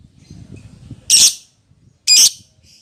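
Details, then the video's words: Lovebird calling its companion, used as a lure call: two loud, harsh, buzzy shrieks about a second apart, each lasting a quarter second, after a faint low rumble of background noise. "suara lovebird memanggil temennya"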